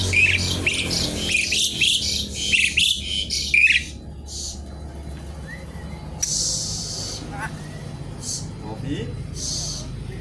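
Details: Noisy Javan pied starling singing in 'gacor isian' style while seeking a rival. A dense run of harsh squawks and rising whistles fills the first four seconds, then scattered loud rasping bursts follow over a constant low hum.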